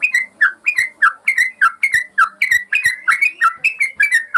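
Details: A yellow-vented bulbul sings for a master recording meant to train caged birds. Its rich, gurgling whistled phrases dip and rise, delivered rapidly and continuously, roughly three notes per second, against a clean quiet background.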